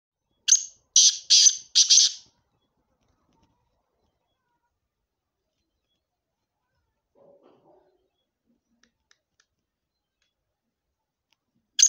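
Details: Black francolin in Sindh, Pakistan: three loud, harsh, scratchy notes in quick succession, followed by near silence with a few faint ticks and one more harsh note at the end.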